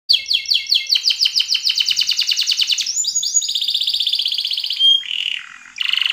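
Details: Yellow canary in energetic song: rapid repeated high trilled notes in fast pulses, shifting into a dense buzzy rolling trill, then a brief pure whistle and a final harsh trilled burst.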